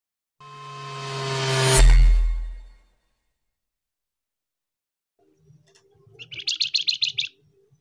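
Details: Flamboyan bird lure recording of male and female calls: a loud ringing chime fades out, then a quick burst of about eight high, sharp chirps follows in a rapid run near the end.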